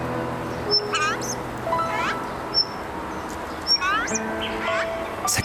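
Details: Azure-winged magpie pair at the nest in a forest in early summer, giving thin, squeaky, rising whistles and harmonic chirps every second or so, a special call stimulating newly hatched, still-blind nestlings' appetite so they open their mouths.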